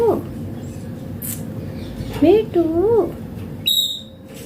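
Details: Indian green ringneck parrot voicing short, wavering speech-like syllables in the middle of the stretch, a brief tonal squeak near the end, soft background hum throughout.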